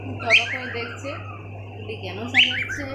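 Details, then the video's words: Pet cockatiels indoors giving two loud harsh squawking calls about two seconds apart, with softer chirps between, over a steady low electrical hum. "Cockatielbird's all of them making sweet sounds"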